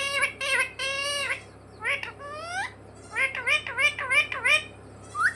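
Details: Parrot mimicking "mummy papa" in speech-like phrases: a held nasal syllable, then a series of short upward-sweeping notes roughly three per second, over a steady low background hum.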